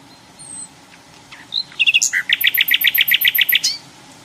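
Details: Hill blue flycatcher in the wild: faint thin whistles, then a sharp run of about a dozen rapid, evenly spaced two-part notes, loud and bright, ending abruptly.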